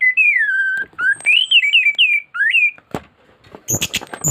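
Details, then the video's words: Loud thrush song meant as a master for tutoring caged birds. Clear whistled phrases slide down, then rise and dip in a wavering series, ending in a scratchy, noisy burst. "Anis gacor teler isian komplit materi masteran burung anis pancingan bunyi"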